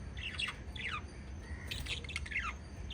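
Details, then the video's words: A few lovebirds from a group of five give short squeaky falling chirps and a thin whistled note, in spaced bursts with quiet gaps between. "Five Little Lovebirds Chirping Sounds"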